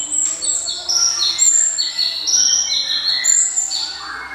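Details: Java sparrow's ringing 'cemelenting' song: a busy run of clear whistled notes stepping up and down at high pitch, ending with a lower buzzy phrase.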